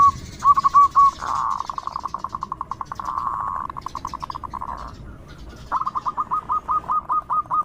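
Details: Local zebra dove singing loudly as a lure for other doves: soft opening notes, then long runs of rapid, even, mid-pitched staccato pulses, ending in bright, quick hooked notes.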